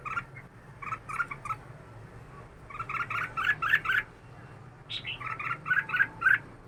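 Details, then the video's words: Caged red-whiskered bulbul, kept for two years, singing bursts of bright, bubbly chirped notes in quick clusters separated by short pauses. "chào mào 2 năm lồng đá tay"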